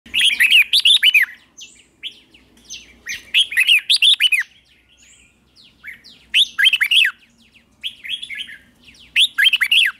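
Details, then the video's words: Red-whiskered bulbul morning training song: four bursts of bright chattering, warbled notes, each about a second long, separated by short pauses with softer scattered notes between, over a quiet low hum. "Luyện chào mào hót sáng hót hay"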